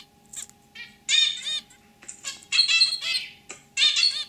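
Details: Pet zebra finch pair, male with his own throaty song, white female giving simple chirps; nasal, trumpet-like beeping notes in separate bursts with pauses, some rapid clicks between, steady faint hum behind.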